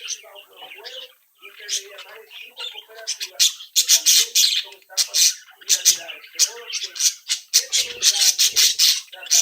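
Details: Young budgerigars from a captive brood, lively and playful; soft warbling at first, then loud harsh squawks and rasping chips repeated about twice a second, indoors.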